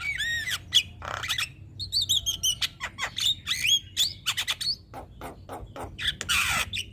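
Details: Javan myna (jalak kebo), caged, singing in a master recording used to stimulate other birds: looping whistled notes, rasping bursts, and quick sequences of clicks and upward-sliding whistles, closing with a harsh hiss.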